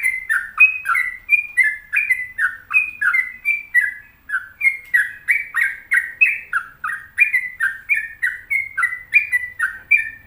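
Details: Sooty-headed bulbul giving a long, sustained burst of rapid chattering whistles, about three notes a second. Each note swoops down in pitch, and high and low notes alternate steadily through ten seconds.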